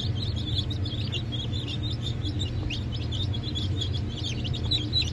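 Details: Hatchling Brahma, Sussex and Maran chicks, hatched 1 April 2024, make scattered high cheeps and short chirps. A steady low-pitched background hum runs throughout.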